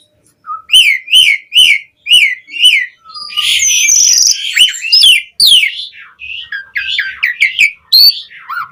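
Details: Asian pied starling in energetic varied song for training kept starlings: five repeated whistled slurs, a low short whistle, then a dense jumble of chattering, squeaky and whistled notes with buzzy phrases.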